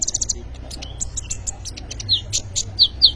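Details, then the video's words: Kolibri ninja sunbird in full song, meant for luring or tutoring young birds: rapid high ticks at the start, then scattered chirps and a few louder, downward-slurred high notes near the end. "kolibri ninja gacor cocok untuk pancingan atau maateran burung bahan"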